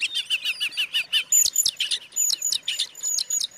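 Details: Oriental magpie-robin singing, used to provoke other magpie-robins into agitation: rapid series of short whistled notes repeated about every fifth of a second, then higher sharp whistles and mixed chattering phrases.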